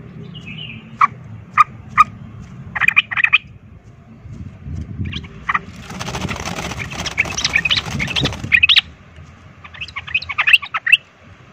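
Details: Yellow-vented bulbul of the fighting 'ropel' type, singing a lure song meant to rouse other bulbuls to fight: short sharp chirps and quick bubbly bursts of notes spaced a second or two apart, broken by a stretch of loud rustling noise.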